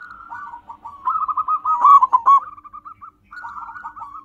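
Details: Local wild-type zebra dove singing as a lure for wild birds: a fast, bubbling, trilled cooing that swells louder in the middle, pauses briefly, then resumes softer.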